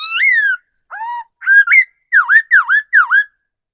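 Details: Loud whistled phrase from a forest-matured decoy laughingthrush: a long falling slur, a low dipping note, paired upturned notes, then three deep V-shaped swooping whistles in steady rhythm.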